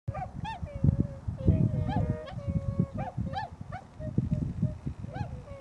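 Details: Wintering flock of tundra swans at Nonaka, Toyama City, Japan, around midday on 13 December 2011: mellow, hooting, bugle-like calls, some short and rising, others drawn out, overlapping from several birds, with low thumping and rustling noise beneath.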